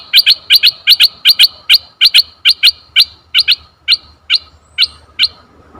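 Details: Red-eyed bulbul lure call: a run of crisp high chirps repeated steadily, slowing gradually toward the end, with little else heard.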